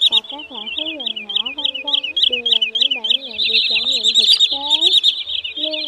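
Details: Greenshank and sandpiper trapping lure for migrant birds at night, August 2023: unbroken high, rapid piping calls stacked densely, with a background voice and music mixed in.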